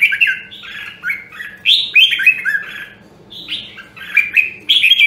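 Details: Red-whiskered bulbul with the Nam Đông, Huế voice, for training: rapid bubbly phrases of slurred whistles, loud and closely spaced, with one short pause midway and a steady low hum behind.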